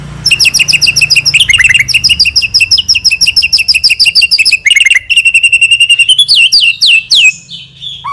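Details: Constantly singing White-rumped shama with lavish varied fill phrases and long bursts, for prompting other birds: fast repeated high chipping notes in rolling runs, shifting into a steady rapid trill and rising slurred whistles.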